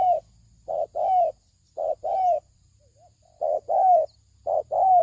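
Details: Spotted dove cooing as a lure to attract males and females: low, soft phrases of a short note followed by a longer drawn-out coo, repeated about every second and a half, in quiet surroundings.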